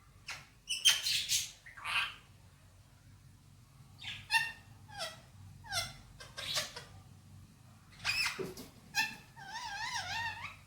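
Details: Male pet Indian ringneck uttering Hindi-Urdu talking phrases; short harmonic, nasal syllables spaced about a second apart, ending in a wavering, meow-like warbled tone, over a soft indoor hum.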